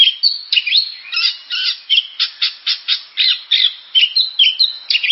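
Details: Oriental magpie-robin singing a rapid, varied stream of short whistled and harsh scratchy notes, some rising and some falling, delivered in quick bursts about every quarter second without pause.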